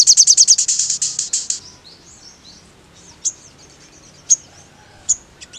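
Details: High, rapid trill from a sogon, used to provoke rivals. It fades over about one and a half seconds, then gives way to soft warbles and a few isolated sharp tweets.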